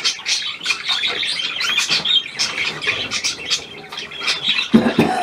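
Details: New hand-tame pied budgerigar, recorded 17 February 2023, amid continuous budgerigar chatter: rapid high warbling and chirping notes, with a short low human voice near the end.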